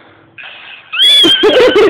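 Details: A pet lineolated parakeet gives a loud, harsh, drawn-out squawk that bends in pitch, apparently reacting unimpressed to the song "Macho Man" being played; faint background sound before it.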